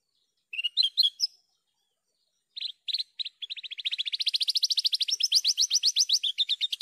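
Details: Javan bush lark singing vigorously in a clear training recording: short chirped phrases, a pause, then a long fast trill of buzzy notes rising slightly in pitch, about four per second, on a silent background.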